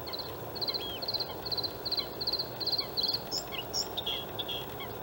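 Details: White-spotted bluethroat male in song among reeds on reclaimed harbour ground at Halmstad in May 2017. Quick high triplets repeat about twice a second, then give way to scattered varied whistles and chirps.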